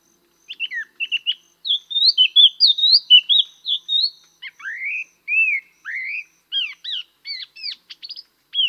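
A Chestnut-eared laughingthrush sings a busy run of varied clear whistles and slurred, rising and falling notes, about one or two per second, against a quiet background.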